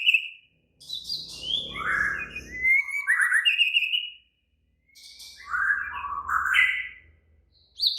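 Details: Agitated, excited white-rumped shama delivering rich varied song in two bursts, with loud whistled, slurred and buzzy phrases jumping in pitch, separated by a brief pause, plus a faint low rumble underneath.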